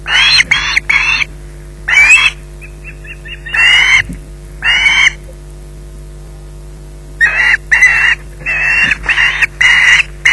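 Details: Screeching osprey in possession of a fish at the Loch Garten nest: grating cries in pairs and trios, a soft run of faint chips near the two-second mark, then a long quiet stretch before a dense burst of loud screeches.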